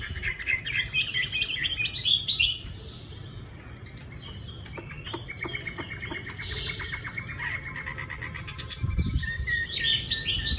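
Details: Caged Chinese hwamei in Hanoi with bright golden legs pours out a dense, busy song of tumbling chirps and rapid repeated clicks, then high sweet phrases, over steady low rumble.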